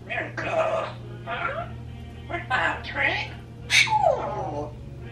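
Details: Pet parrots, a 26-year-old African grey and a 16-year-old Quaker, left alone in a room, mimic human speech in several short word-like bursts. A sharp squeak and a falling whistled note close the sequence.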